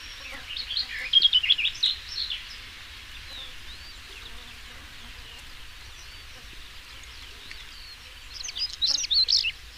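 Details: European stonechat song: a burst of scratchy, twittering notes around one second in, then a long quiet gap, then another rapid scratchy burst near the end over a low background hum.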